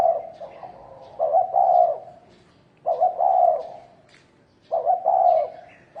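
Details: Thổ đồng cooing by a spotted dove to spur males into fighting: three evenly spaced phrases, each a few rapid lead-in notes then a longer mellow coo, separated by quiet pauses.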